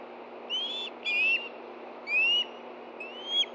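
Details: Ospreys at a Montana nest in Hellgate Canyon food calling as one gets a fish, 9 September 2013, 7:39 p.m. Sparse, thin rising whistles, about one per second, over faint background hiss.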